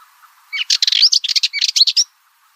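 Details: Short, dense rattle from a Cyprus Warbler: about a second and a half of fast, scratchy notes with a few thin upslurred whistles mixed in.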